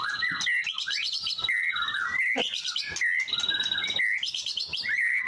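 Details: White-rumped shama singing clear, ringing whistled phrases, with high sustained notes alternating with lower sliding whistles and quick twittering, repeated roughly every second.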